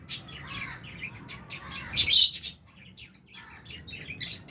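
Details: Lovebirds, including Fisher's and albino birds, feeding in an aviary shared with budgie parrots; busy overlapping high twitters build to a loud squawky burst midway, then fade to scattered chirps.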